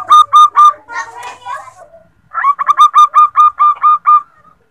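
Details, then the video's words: Female zebra dove used as a lure, calling the male: three brisk coo notes, a blurred jumble of softer sounds, then a run of about nine evenly paced, clipped notes. "Perkutut betina memanggil jantan"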